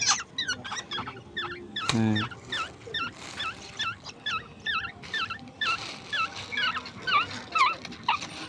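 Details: Oriole and Asian koel chicks, hand-raised at home, beg with rapid, high, squeaky overlapping chirps, about two a second, during night-time feeding on grasshoppers while a person speaks briefly nearby.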